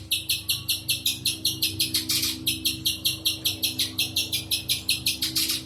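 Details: Rapid string of harsh, high chip notes from a spiderhunter, roughly two or three each second and slightly uneven, over a constant low electrical-sounding hum.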